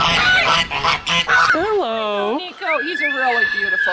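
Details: An umbrella cockatoo at a parrot sanctuary in Arizona gives harsh, honking squawks in quick bursts, then a person's voice talks over more drawn-out calls.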